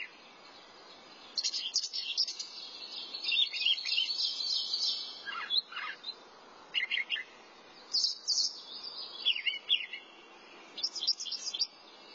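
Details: Long thrasher song made of many different phrases: rapid chattering runs, downslurred whistles and clipped notes following one another with brief breaks, bright and varied throughout.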